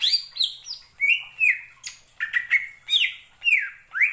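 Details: Song of a greater green leafbird, a species able to mimic other birds' voices, meant to stir rival leafbirds: a steady series of clear whistled notes, some falling, some rising, about two per second.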